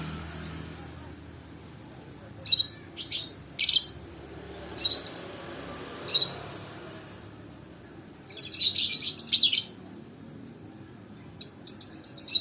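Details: Lovebird lure recording used to train a lovebird: bursts of sharp, high chirping chatter in short clusters, several rapid twittering runs with quiet gaps between them, a buzzy trill near the end.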